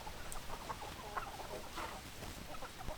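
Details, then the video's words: Domestic chickens giving soft, rapid clucks, scattered short notes close together with a busier patch midway through, over constant low rumble and hiss. "Chicken Sounds Noises Hens Clucking Roosters Crowing"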